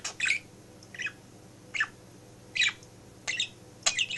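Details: Male budgie kept as a pet in a home office, chattering beside its working owner; short scratchy bursts spaced about a second apart over a constant low hum.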